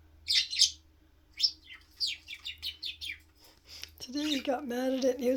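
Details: Pet male budgerigar indoors, frustrated and mad at a toy he throws about, gives a run of short, harsh, scratchy grunting bursts, spaced unevenly, before a person starts talking over the last part.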